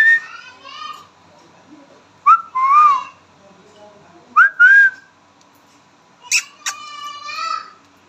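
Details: Indian ringneck parrot kept as a pet, talking in short whistled, speech-like bursts: a soft opening phrase, two clear two-part phrases in the middle, and a sharp high call followed by a harmonic-rich note near the end.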